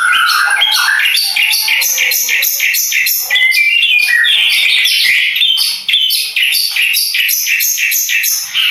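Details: Madura long-tailed shrike, a champion contest bird, pouring out rapid, buzzy, scratchy notes about three per second, with short whistled upslurs woven into the harsh stream.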